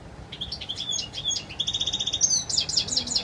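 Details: Clear, pure wild song of a European goldfinch: quick tinkling twitters leading into a sustained buzzy trill, then a dense burst of bright chirps and whistles near the end.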